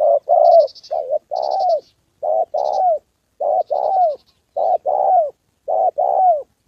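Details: Spotted dove decoy calling while a wild fighting male and a female come in: repeated double coos, the second note longer and sliding down, about one pair per second, with small high chirping bursts behind.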